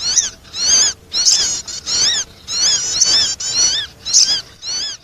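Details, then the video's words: Sogon bird calling to attract: a steady series of high, squealing, harmonic notes, each rising then dipping, repeated roughly every half second across five seconds, with short silent gaps between them. "the sound of the sogon bird attracting noise"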